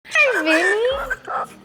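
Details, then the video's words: A male pet galah cockatoo mimics speech in a nasal, wavering voice, with a swooping tone falling then rising over about a second, followed by a shorter syllable. "Galah Cockatoo is TALKING"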